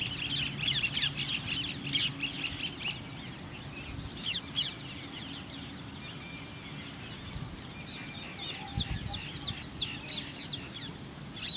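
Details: Common Mynas, male and female, give a rapid, varied run of harsh chatters, squeaks and clicks, densest at first and then scattered, over a low background hum.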